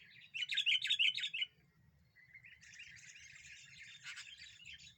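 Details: Sooty-headed bulbul singing persistently as a lure to provoke other birds: a loud burst of warbled, bubbly notes, then a softer run of busy chattering twitters.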